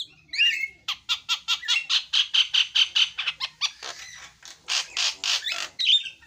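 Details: Javan myna repeating rough, nasal squawks in a steady string, a twisting whistle at the start and end, with some notes breaking into hoarse buzzes.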